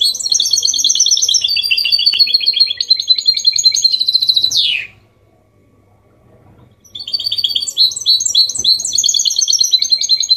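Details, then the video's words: Hybrid goldfinch with clean song in 'copia malaga' style, to encourage males to sing and chicks to learn; continuous bright warbling twitters closing with a falling rasp, silence, then renewed rapid phrases. "Mixto jilguero Limpio canto (copia malaga) Elegante / mule of goldfinch bird singing the best sounds"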